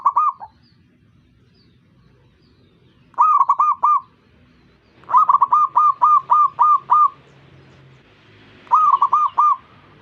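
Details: Zebra dove singing and prompting other zebra doves to answer: bursts of fast, bubbling cooing notes, one long run of about eight notes, the bursts coming every two to three seconds against soft low background noise.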